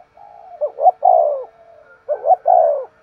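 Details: Spotted dove in vigorous 'thúc gù' cooing. A soft droning lead-in, then two quick hoots and a long descending coo. The phrase is delivered twice in quick succession.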